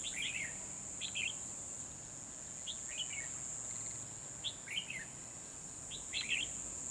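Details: Decoy red-whiskered bulbul in a trapping setup, 12 December 2020, singing to draw wild rivals: quick chirpy warbled phrases repeated roughly every second or so, five bursts, above a constant shrill insect hum.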